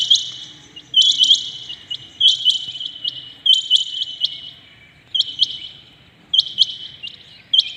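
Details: Early-morning rain quail giving bright, clipped, high-pitched notes in tight doubled and tripled bursts, spaced roughly a second apart, against near silence.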